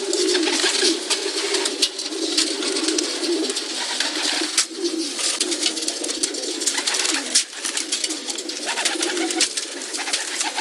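Pigeons coo in low, throaty, rolling murmurs that overlap almost without pause, over a steady hiss and scattered scuffling and flapping noises.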